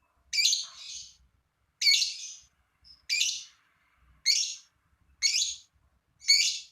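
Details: Lovebird calling in a quiet room, used to prompt other lovebirds to sing: single shrill, raspy chirps repeated about once every second, each fading quickly, with faint thumps in the background.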